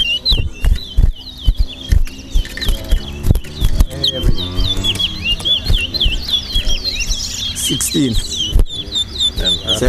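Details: Large-billed seed-finch at a towa towa bird race in Linden, Guyana. Quick, chirpy whistled phrases repeat steadily for ten seconds while spectators talk, count and clatter close by.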